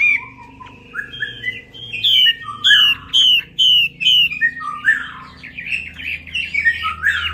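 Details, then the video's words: Chinese hwamei lure song for stuck, non-singing birds: a few soft whistles, then a strong burst of loud repeated down-slurred notes about twice a second, followed by tumbling varied phrases over a steady low hum. "PANCINGAN WAMBI MACET"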